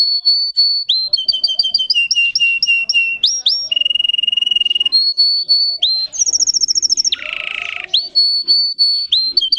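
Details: A Russian singing canary runs through varied tours: quick rapid-fire trills, a steady low whistled roll, a very high glassy trill and a brief harsh buzzy burst, all crisp and bright.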